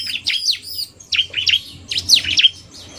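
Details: Narung song of a male bar-winged prinia blended with quick female calls: clusters of piercing, swooping chirps in two or three bursts with brief gaps, and faint low background noise.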